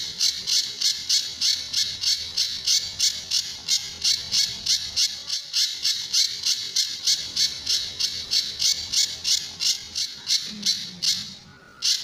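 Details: Sunda bush warbler, or pijantur, on a training recording featuring tembakan and besetan song styles. A long unbroken run of rasping, high, buzzy notes comes about three times a second, then ends abruptly near the close.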